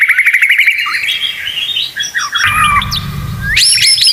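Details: Murai batu (white-rumped shama) masteran song in full 'isian tembakan' style. It opens with a rapid rattling series, moves into varied whistles and slurs, and closes with a burst of very high sharp notes.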